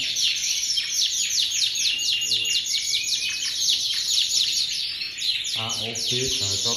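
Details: Continuous canary song, AOB 23, bright high chirps and buzzy trills running without pause, with a brief burst of low human speech near the end.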